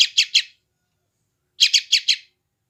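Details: A young yellow-vented bulbul recorded by phone in West Java, used for taming wild-caught birds, gives two short bursts of harsh, scratchy chirps, three notes then four after a pause of about a second.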